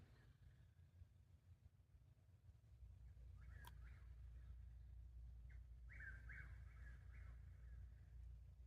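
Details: Chuck-will's-widow calling at night in a yard by a lake in Ocala National Forest, answering another across the road all night, with quick, whistled, rolling phrases partly buried under a steady engine-like hum; dogs were riled nearby.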